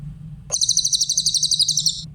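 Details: Clear-voiced Grey-headed canary-flycatcher song for tutoring other songbirds: after a brief pause, a high, fast, evenly pulsed trill runs about one and a half seconds at steady loudness, with faint low background hum.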